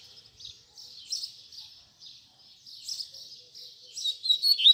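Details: Double-collared seedeater singing fibra song for teaching young birds: a steady series of short buzzy high notes, ending in louder, sharper slurred whistles.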